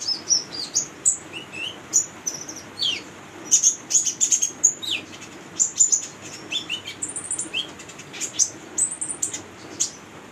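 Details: Female Brown-throated Sunbird singing actively, used as a lure to train young birds: very high, thin chirps and sharp tweets, some slurred downward, delivered in quick uneven bursts with brief pauses.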